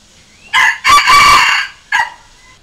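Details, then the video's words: Red junglefowl crow used for luring and training decoy cocks: one crow with a short harsh opening note, a long buzzy middle phrase, then a clipped final note, within about one and a half seconds. "เสียงต่อไก่ป่า เสียงไก่สำหลับต่อ"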